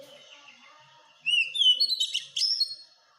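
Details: Oriental magpie-robin masteran for caged-bird training: after soft background twitters, a loud phrase of upslurred whistles runs into fast, buzzy trills and ends on a sustained clear whistle.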